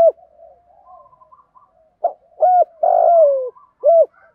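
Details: Spotted dove cooing, male and female, used as a decoy to lure wild doves into answering: low hollow coos, a short note, a longer falling coo and a final note, repeated, on a quiet background.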